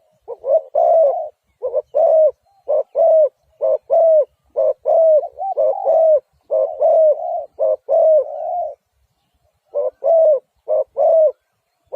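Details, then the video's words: Spotted dove cooing in a close, steady series of short, soft, mellow hooting phrases, repeated about once a second, with one brief pause near the end. "Sound Of Spotted Dove"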